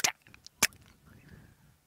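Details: At sunset in the African bush, a European bee-eater in the distance beats a stinging insect against a perch before eating it: two sharp, dry knocks about half a second apart, then a faint, thin drawn-out whistle.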